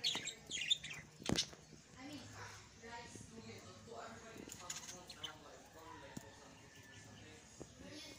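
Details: A budgerigar chatters in a busy stream of high chirps, squeaks and buzzy warbles.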